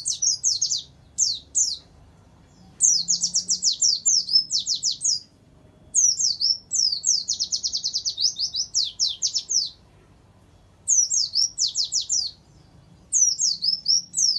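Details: Warbling white-eye training song with canary phrases inserted: long, energetic, rattling series of very high falling notes delivered in dense runs of two to four seconds with short gaps.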